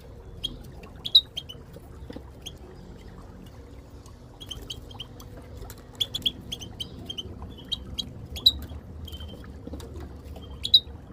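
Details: Group calling of Moroccan goldfinches with a female, used in training to get silent goldfinches singing: sparse sharp high chirps, occasional quick clusters, separated by pauses of a second or more, low steady hum throughout.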